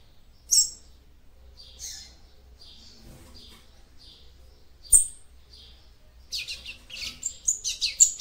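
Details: Female capped seedeater calls meant to excite the male: spaced, thin, high chirps, then a busier run of rapid, squeaky, twittering notes at the end.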